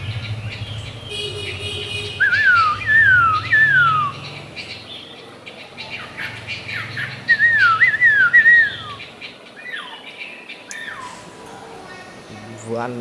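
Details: Chinese hwamei, a tame cage bird that keeps singing as it feeds, gives mid-pitched whistled notes that slide downward in paired phrases, with quieter chatter between bursts.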